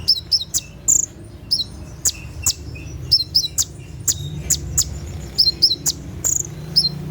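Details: At night, a kolibri ninja gives 'tembakan' song used for training caged birds: scattered, thin, high chirps and quick two-part slurred notes with short gaps, over steady low background noise.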